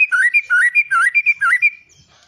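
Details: White-rumped shama song: a quick run of about a dozen clear whistled notes that alternate between lower and higher pitches, slurring up and down, then fading out after under two seconds.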